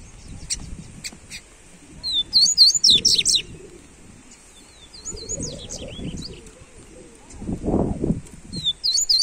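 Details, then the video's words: Rusty-collared seedeater song played to warm up a seedeater: bursts of quick, high twittering and chirped notes in short clusters, separated by pauses, with low thumping and rustling noises in between. "Esquente seu papacapim Coleiro"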